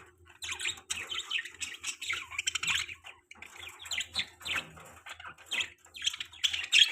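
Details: Happy pet budgerigars in lively chatter, many quick high chirps and scratchy warbles running together in bursts, with a few short gaps between flurries.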